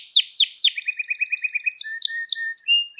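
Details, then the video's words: Canary song recorded for training young canaries to sing: three sharp descending swept notes, then a fast run of short chirps and a sequence of clear high whistled tones shifting in pitch. "Kanaryanız Çıldıracak Ders Gibi Kanarya Sesi Ve Ötüşü"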